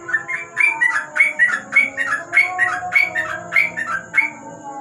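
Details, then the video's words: Yellow-vented bulbul singing at night under a lamp in a rapid 'ropel' style: bright whistled notes that slur up then down, repeated about twice a second in a steady run, over a faint steady hum and softer low tones. "Burung trucuk,An ropel malam hari dibawah lampu"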